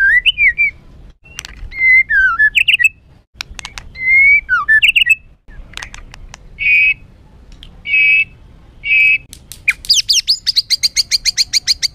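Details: White-rumped shama in harsh, agitated song meant to provoke other birds: varied loud whistled phrases with sharp clicks, then three steady ringing whistles and a fast buzzy rattle at the end.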